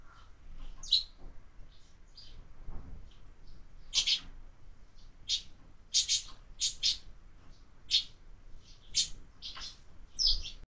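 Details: Sparrows visiting feeders fixed to a window, where birds are fed all year, uttering frequent sharp high chirps in irregular bursts, often two or three close together, with faint low background noise.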